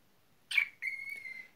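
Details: Indoor pet cockatiel gives a brief breathy rasp, then a long clear level whistle that fades gently at the end, bright with ringing overtones.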